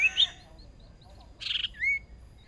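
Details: First-time sparring Hwamei decoy bird, caged, singing in a fierce match: a quick high whistled phrase, a pause, a short noisy rattle, then a smooth rising whistle.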